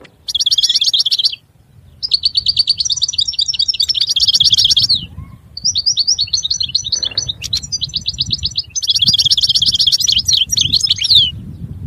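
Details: Goldfinch singing in long rapid bursts of tinkling, buzzy notes, several phrases split by short pauses, each a quick chattering run; soft low background rumble.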